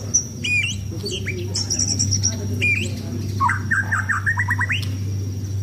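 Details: White-rumped shama, a contest-ready bird kept caged and sunbathed, singing varied notes: short whistled upslurs and clicks, then a rapid string of rising notes near the end, over steady low hum.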